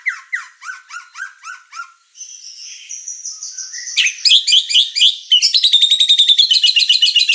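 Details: Murai batu, the White-rumped shama, in full song for provoking and tutoring birds: falling chirps repeated about three per second, a drawn-out high whistle, then dense rapid trilled phrases that speed into a fast rattle.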